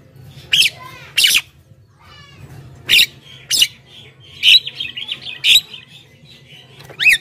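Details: Javan myna in full lively song, used to lure wild mynas and prompt other mynas to reply: harsh broadband squawks and bursts mixed with short whistled notes and buzzy chatter, loosely repeated about every second over a low background hum.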